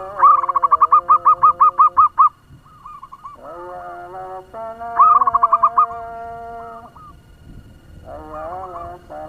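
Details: Local zebra dove used as a lure bird to excite other doves, singing fast: a rapid run of about ten staccato coos over two seconds, softer drawn-out phrases, then a second quick burst and more quiet notes.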